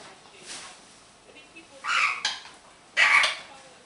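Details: Happy pet green-winged macaw chattering indoors: a few harsh, breathy squawks, one short and one longer, separated by quiet pauses and faint soft notes.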